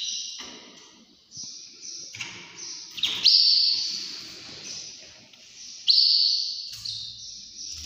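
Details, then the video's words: Canary singing in the early morning: long, high, sustained rolling trills, broken by short pauses and sharp accented notes, with a soft low background murmur. "عصافير تغريد كناري مااجمل صوت طيور في صباح الباكر"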